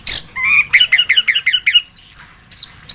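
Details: Orange-headed thrush (anis kembang) masteran song: a run of about seven quick repeated rising chirps, followed by thin high drawn-out whistles.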